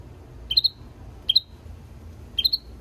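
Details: European goldfinch × canary mule giving three short, bright two-note chirps, each a quick rising-then-level tweet, spaced roughly a second apart, over a quiet low background hum.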